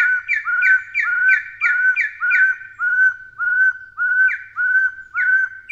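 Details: Taiwan Hill Partridge, a bird endemic to Taiwan, gives a steady series of clear whistled notes. Each is a short upslurred hoot paired with a higher rising whistle, about two per second, in a quiet background.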